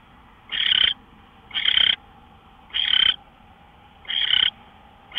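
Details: Owl in the early morning, 5:27 AM on March 24, 2013: rough, noisy screech-hisses of about a third of a second, five in quick series roughly every second and a quarter, over steady low hum.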